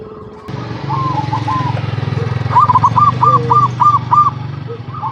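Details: Zebra dove cooing meant to lure caged doves into singing. A quick series of evenly spaced clipped coos is heard over a steady low engine rumble, with a short lower note in between.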